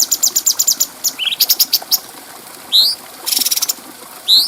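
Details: Bulbul, called cucak cungko, on a clear tutor recording for other birds: quick high chips, a short rising slur, loud upswept whistles and a brief dense buzzy burst.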